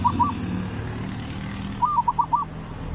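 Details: Zebra dove, 'three provinces' style song for luring birds: the tail of one phrase opens, then a full phrase of five quick, rolling coos follows over a steady low traffic hum.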